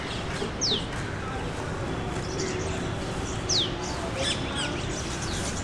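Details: Rosy starling (rosy pastor) in Delhi in spring, on its migration north. Two sharp, clear whistles sweep steeply downward, about three seconds apart, with faint chatter between them over a steady low background rumble.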